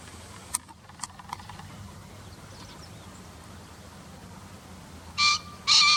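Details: Green pheasant call inserted from a bird field-guide recording, set over a pair grazing in a rice paddy, early April 2021. A quiet stretch of faint ticks ends in a double crow, two rasping, buzzy blasts in quick succession.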